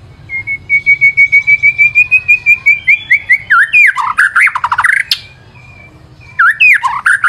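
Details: White-rumped shama in lively song for use as a lure. A long accelerating series of about seventeen rising whistled notes leads into harsh, chattering, swooping phrases, then a short pause and more vigorous phrases.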